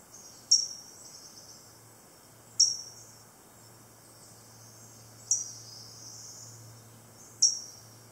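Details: Prothonotary warbler pair feeding nestlings at a nest in a cypress knee surrounded by waist-deep water, Four Holes Swamp, Beidler Forest, 2 June 2018; four sharp, high chip notes roughly two seconds apart over a steady low hum.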